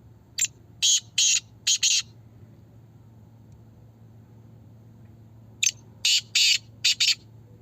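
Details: Black francolin voice competition: two separate rasping phrases about five seconds apart, each of four or five harsh, scratchy notes, short then longer, over a low hum.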